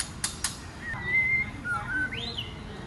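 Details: White-rumped shama (Copsychus malabaricus), clicks and song: female provoking males to sing and fight.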